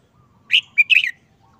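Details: Red-whiskered bulbul kept in a cage, listless after more than a month of moult, singing one short, simple phrase: a bright whistled note, a brief pure tone, then a quick tumbling run of notes, all within half a second.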